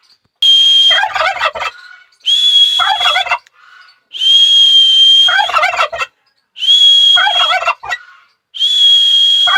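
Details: Turkey calling in a repeated cycle, each drawn-out high, flat whistle followed by a loud burst of quick, bubbling gobbles, about five rounds in close succession.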